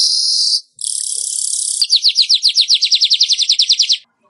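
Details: Weaver song used as a training recording for caged birds: a dense, sizzling buzz held for about a second and a half, then a rapid run of about twenty sharp, downslurred chipping notes.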